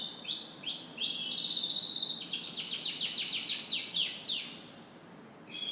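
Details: Morning song of a canary, a fast run of repeated descending sweeps and sharp chirps in a continuous trilled phrase, easing into near silence before a fresh note starts at the end.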